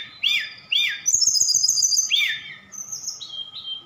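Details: Javan bush lark from Sukabumi singing actively, its song filled with imitations of other birds such as cililin and sikatan londo: high sweeping whistled notes, two sharp downslurs, a rapid buzzy trill, then short bright whistles, over a faint low hum.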